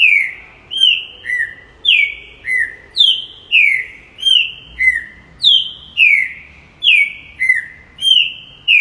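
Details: Green-winged saltator giving a long, rhythmic series of rich whistled phrases, alternating higher and lower slurred notes at roughly two per second, with no other sound.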